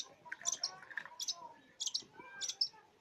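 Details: Long-tailed shrike singing a varied song packed with imitations of many other birds: bright high chirps and clicks in short bursts roughly every half second, mixed with lower whistled notes and faint background sounds.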